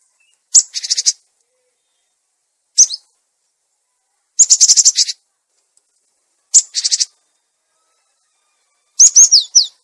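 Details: Cinereous tit lure recording, clear voice meant to attract birds and tutor silent caged ones: five groups of buzzy, rasping churrs and sharp high chirps spaced roughly two seconds apart, ending with a run of swept whistled notes.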